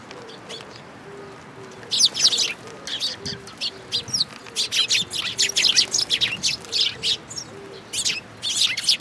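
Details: Sparrows gathering at a feeding spot on a bridge railing at a Tenmangu shrine, 9 June 2022; after a quiet start, dense high chirps and tweets from several birds overlap, with soft low steady tones pulsing beneath.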